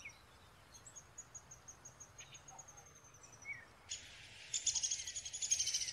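Downy Woodpecker young begging: a thin, high steady whine, then a harsh, buzzy chatter of rapid repeated rasps, heard in a faint, hissy recording.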